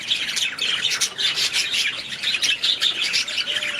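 Budgerigars chatter continuously in a dense, scratchy warble of high chirps and squawks, several birds overlapping without pause.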